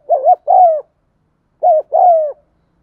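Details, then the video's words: Spotted dove cooing, played to prompt silent birds to start calling: two low two-part coo phrases, each a short wavering note followed by a longer falling one, separated by a pause, with no other sounds. "tiếng cu thúc gù hay"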